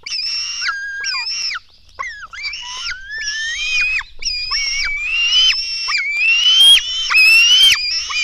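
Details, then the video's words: Black stork nestlings begging while being fed at the nest at 04:53 on 24 June 2016: loud, harsh, wheezy squeals with bent, rising and falling pitch, repeated in a fast, overlapping series with short gaps. "Lett sas fészek 2016.06.24. 04:53 etetés"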